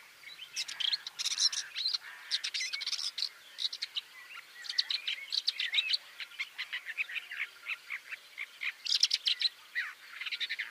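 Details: A shrike among almond trees, where it impales grasshoppers on branches as a larder, gives a fast, scratchy run of high chirps and chattering notes in bursts, with a short mid pause and faint outdoor hush.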